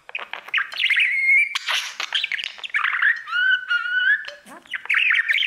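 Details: A male budgie sings to his mirror indoors. A busy stream of chirps leads into drawn-out whistled tones and squeaky, slurred notes, then a final burst of rapid chatter.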